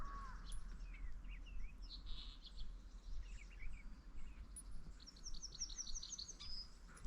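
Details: Yellowhammer singing in an exceptionally warm, wet winter in mid-February after overnight rain: a quick run of about eight thin, high, repeated notes ending in a longer drawn-out note, the song sometimes stopping midway; other birds chirp, low wind rumble.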